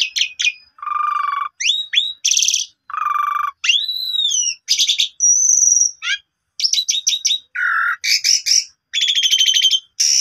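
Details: Asian pied starling song, played to restart a sulking bird's singing. Varied phrases: low buzzy churrs, upslurred whistles, an arching whistle, a sustained high whistle and rapid rattling trills, with short pauses between phrases.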